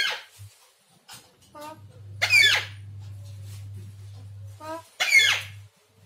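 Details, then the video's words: A parrot giving squeaky, harmonic, speech-like bursts indoors: short squeals at first, then two louder rasping phrases around the middle and near the end, with a steady low electrical hum underneath. "parrot voice talking"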